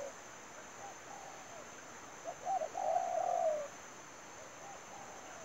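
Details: Spotted dove decoy at a trapping site, one clear mellow coo phrase in mid-clip: short stuttered notes leading into a longer falling coo. Fainter coos sit at the edges, with a steady high hiss throughout.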